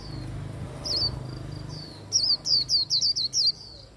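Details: Japanese white-eye, held in the hand, singing líu song to stimulate singing: a few faint high notes, then a brisk string of bright, wavering chirps in quick succession over the final two seconds.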